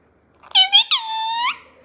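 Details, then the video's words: Pet green parrot in India talking in Gujarati, a short squeaky voice-like phrase of two quick syllables followed by a drawn-out harmonic note, recorded in a small room between a person's spoken lines. "GUJARATI BOLTO POPAT MOST AMAZING TALKING PARROT"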